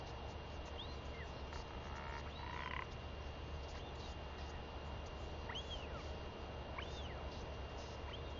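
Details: Royal albatross chick, a very vocal daughter, begging her returning mother for food after seven days apart, recorded 23 May 2021; thin arched whistles rise and fall at irregular intervals over steady low wind rumble.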